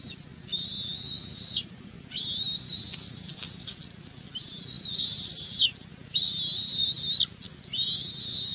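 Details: Bald eagles at the West End nest on 08-04-23, as an adult male flies in with two fish and kelp while young males chase him. High, whistled, slightly rising squealing notes come in long strained bursts over steady low background rumble.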